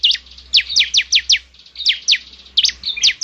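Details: Bar-winged prinia (ciblek) song used to coax a caged bird to sing: short bursts of sharp, high, downward-sweeping chirps in groups of three to five, separated by short gaps, with a faint low hum beneath.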